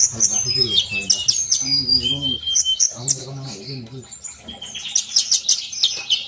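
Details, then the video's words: Sunbird singing in fast high-pitched chirps and whistled trills, with brief level whistles; a lower harmonic voice-like sound pulses underneath at intervals. "kolibri bahan pasti yaut dengar suara konin ini gacor?"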